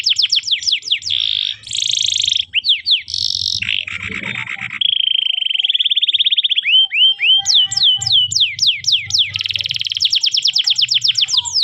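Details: Extended canary song from a tutoring recording for young canaries: fast descending whistles, buzzy notes, a rattle, a long rolling trill, then repeated sharp slurred whistles and a closing rapid trill.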